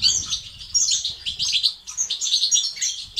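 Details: Short burst of European goldfinch batbata and stastat song aimed at stimulating males: high, rapid liquid twitters with a few sharp clear notes, almost without gaps.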